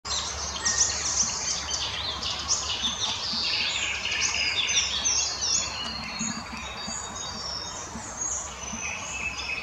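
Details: Icterine warbler in full song in the Krasnoglinsky area on 12 May 2020: a fast, continuous, varied stream of high chirps, trills and whistled notes, changing phrases every few seconds, over a faint low background hum.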